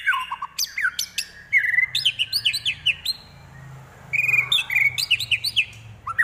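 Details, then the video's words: White-rumped shama singing a mimicry song filled with prinia, kapas tembak and eagle imitations: bursts of sharp chips and high slurred whistles, then a quieter gap before a second run of quick descending notes. "Murai Isian Prenjak, Kapas Tembak, Elang"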